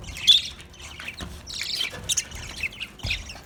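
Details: Budgerigars chirping as they eat: sparse, high, thin chirps and a brief buzzy squawk, with quiet gaps between calls.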